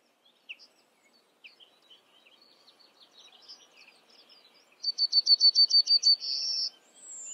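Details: Yellowhammer singing: after soft, scattered high twittering, a quick run of about eight identical high notes, evenly spaced, ends in a longer drawn-out note held at a similar pitch, followed by a faint sliding whistle.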